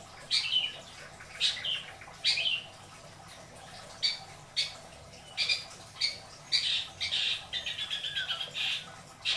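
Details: Caged pet long-tailed shrike from Indramayu, Indonesia, delivers scratchy squawks and buzzy notes with a few whistled slurs, ending in a quick chattering rattle.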